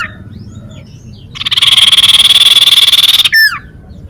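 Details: Sunbird singing, recorded for luring birds and provoking rivals into song: a quiet start, then a long, fast, even buzzy trill lasting about two seconds, ending in steep descending whistles.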